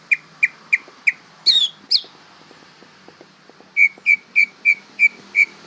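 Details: Young greater green leafbird learning to sing, repeating short whistled notes evenly about three per second, broken by two harsher higher notes, then the steady whistled series resumes.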